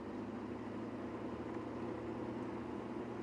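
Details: Continuous engine drone with a dense low rumble during a sunrise safari drive in Kruger National Park, South Africa.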